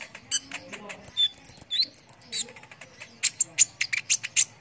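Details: Brown-throated sunbird giving lively song meant to provoke contest birds: thin, very high piping notes in short runs, then a series of sharp, clipped chirps spaced about a quarter second apart.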